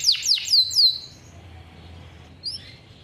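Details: Male canary, hand-reared, singing forceful long-rolling song offered as a tutor for young canaries learning to sing. A quick series of three sweeping, descending whistled notes opens, then near silence with one faint chirp late on.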